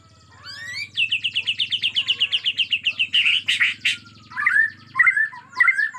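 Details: Agitated Bornean white-rumped shama in natural forest surroundings, giving a rapid run of about sixteen clear repeated notes, then loud harsh bursts and several slurred whistled phrases, with a faint low hum beneath.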